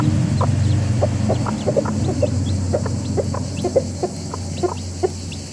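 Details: Soft, quick clucks, about four a second, come from a rooster family making noise together, set against a strong low rumble.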